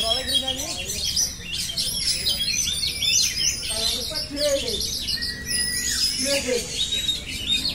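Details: Steady oriental magpie-robin song full of rapid high twitters and whistles, with occasional longer pure notes and faint lower calls behind it.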